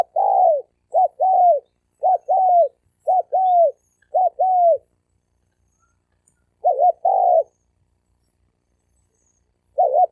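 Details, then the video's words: Spotted dove males challenging each other, wild birds fighting, 2020. Quick runs of two-part coos, a short note then a longer falling one, repeat rapidly for five seconds. After a pause, one more pair comes, and another begins at the end. "Tiếng chim cu gáy bổi đấu bổi cực chất cực hay dùng cho anh em đánh kích bổi trống đánh nhau"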